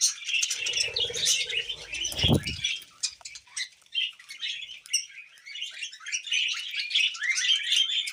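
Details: Happy tame budgie twittering, a loose stream of fast chirps and clicky warbles, with a brief low thud early on and softer chattering afterward.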